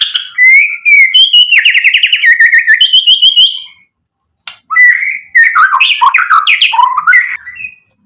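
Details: White-rumped shama in full song, packed with mimicked filler material and meant to anger rival males: trilled whistles at steady pitch, a silent pause, then tumbling, varied liquid notes jumping up and down.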